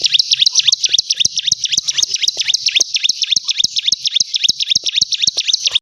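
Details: A bar-winged prinia sings nonstop: quick, regular high-pitched chirps repeated around four a second, with faint clicks in the background.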